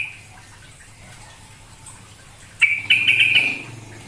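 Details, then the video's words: Lure call of a tame sooty-headed bulbul from Grabag. Low background hum, then a sudden burst of quick, warbling, trilled notes lasting about a second, fading into quiet. "Pancingan suara trucukan agar bunyi"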